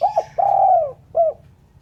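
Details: Spotted dove, clean call: a quick doubled coo, then a long, rough, rolling coo sliding slightly downward, ending with one short mellow coo.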